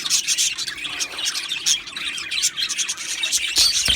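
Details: Busy chatter from a colony of Australian budgies: rapid overlapping chirps and warbles from many birds, ending in a few sharper, louder squeaks.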